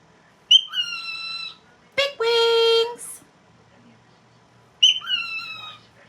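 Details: Pet cockatiel talking, apparently repeating the phrase "big wings": a bright, harmonic utterance that slides from high to lower pitch, then a loud, steady, buzzy-toned note, and after a quiet gap the same sliding phrase again. The room is otherwise quiet.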